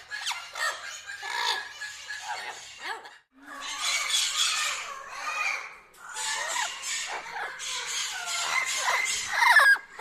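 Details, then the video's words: Several parrots chatter and screech in loud, harsh bursts, calling over each other with squeaky, grating notes broken by brief pauses. "amazing parrots sounds"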